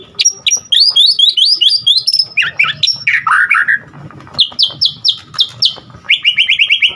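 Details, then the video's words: White-rumped shama singing energetically, a song full of varied phrases: rapid chains of high hooked whistles, a lower slurred warbling run mid-way, then fast repeated notes and a quick trill at the end. "Murai Batu GACOR Full Isian"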